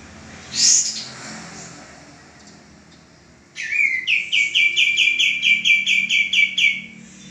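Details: A male common iora recorded for training cage birds gives one sharp high note, pauses, then begins a rapid run of repeated bright chirps opening with a low rising slur.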